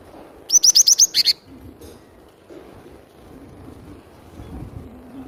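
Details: Java sparrow, called glatik batu, singing in a lively way as a lure for catching birds: a quick run of six high, sharp chirps in about one second, then quiet background hum.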